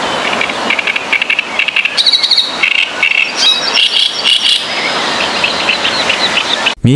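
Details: A great reed warbler in Polish reedbeds gives its harsh, grating 'kara kara kir' song, loud rasping phrases in quick churring bursts that carry hundreds of metres over water, stopping abruptly near the end.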